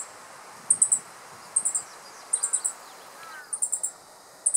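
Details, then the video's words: Male Meadow Bunting on a dead branch in riparian forest, Japan, mid-July 2015, calling loudly on alert at an observer after catching and swallowing an insect; sharp, very high clipped notes in quick threes, repeating about once a second, over steady insect hum. "Meadow Bunting Calling on Alert ホオジロ♂（野鳥）の捕食と警戒声♪"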